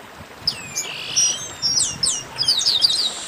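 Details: Chestnut-capped blackbird (garibaldi) 'baderna' chorus: a long falling whistled slur followed by clusters of sharp, high down-swept chips and bright tweets, many notes tumbling over each other in a little over three seconds.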